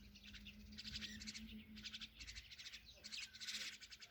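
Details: Myna chicks beg as their mother feeds them, giving harsh, raspy, pulsing bursts in quick bouts about every half second to second, with a steady low hum underneath.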